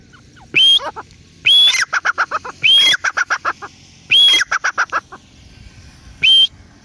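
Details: Grey francolin, locally called teetar, calling: loud, piercing rising whistles alternating with rapid runs of short harsh clucking notes, repeated in bouts every second or so.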